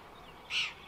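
Indochinese roller giving a single short, harsh, crow-like rasp lasting about a fifth of a second, over a faint steady hiss.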